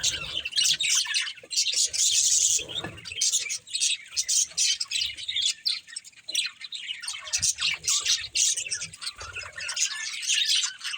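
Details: Many budgies chirp and warble nonstop while playing, a busy tangle of squeaky, buzzy notes with short gaps and a few light knocking sounds.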